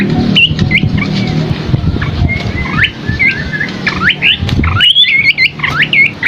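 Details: Scaly-crowned babbler singing for a masteran tutoring recording. Hooked whistles and rapid rising-falling slurs quicken into a lively cluster near the end. A heavy low rumble of background noise sits beneath the song.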